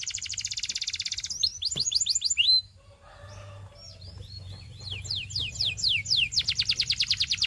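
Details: Belgian canary song used for training: a rapid trill, a run of quick sweeping notes, a short pause with soft rustling, then renewed falling whistles and a fast closing trill.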